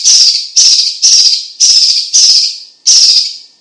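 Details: Chinese leafbird, known locally as cucak ijo cina or cucak cungkok, in lively song for tutoring and prompting: six loud buzzy bursts, about one every half second, each fading out before the next.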